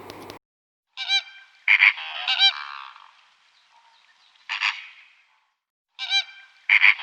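Flamingo honks: loud, nasal, goose-like notes in quick pairs and triplets, clusters coming every second or two with short silences between.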